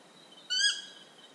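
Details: Stygian owl in Ecuador giving a single short, harsh, nasal note lasting about a third of a second, rich in overtones and fairly high-pitched, against a quiet background.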